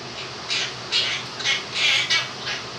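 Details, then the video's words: Two-year-old pet Quaker parrot indoors with a fan running, singing his own version of 'If You're Happy and You Know It'. Five or six bright, hoarse, squawky syllables, some drawn out, over a steady fan hum. "the Quaker Parrot sings 'Happy And You Know It'"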